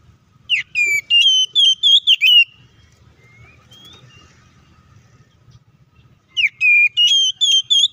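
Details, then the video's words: Oriental magpie-robin in loud fighting song, used as a lure to provoke other magpie-robins into anger: two bursts of high, clear whistled notes, sharply rising then wavering, separated by a long quiet pause with a faint low hum. "KACER GACOR NGEPLONG TARUNG KONSLET❗PALING AMPUH BUAT PANCINGAN KACER AGAR EMOSI!"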